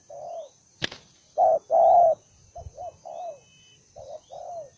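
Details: Newly caught, fighting-tempered spotted dove gives uneven coos, some loud and drawn out, others soft and clipped, after a sharp knock near the start; a faint high whine persists.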